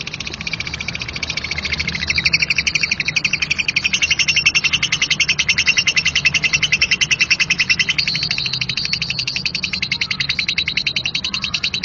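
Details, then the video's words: Harsh rapid chattering of a lovebird performing ngekek kasar, a continuous rough trill of repeated scratchy notes, about three to four per second, sustained evenly for the whole stretch with slight swells in loudness. "dengar KIcau Labet NGEKEK KASAR ini"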